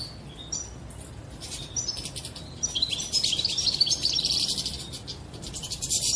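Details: European goldfinch mating song, after which a female is said to adopt a mating posture: faint scattered chirps at first, then a burst of fast, high, buzzy twittering over low background hum.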